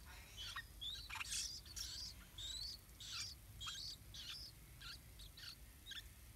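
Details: Two big near-fledged yellow-vented bulbul chicks fed by their parents at the nest: thin high squeaky chirps and short whistled notes, irregular, nearly two per second, over a steady low background hum.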